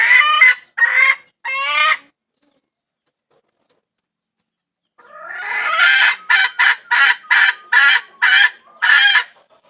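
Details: Hen calling for a rooster: three quick harsh squawks, a pause of about three seconds, then a rising run of eight evenly spaced, loud, buzzy squawks.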